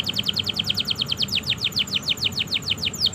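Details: Canary in long, continuous song, used as a training recording to prompt silent or young canaries to sing: a fast run of repeated downward-sweeping whistled notes, about three per second, with a low background hum.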